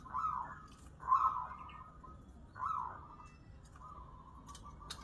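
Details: Zebra dove at a local singing contest, giving three loud rolling trilled coo phrases about a second apart, followed by a softer drawn-out note, over low background hum.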